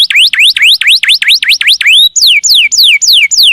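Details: Canary song in long phrases, loud and clear: a series of V-shaped whistled notes dipping and rising, then a run of slower falling whistles repeated about three times a second.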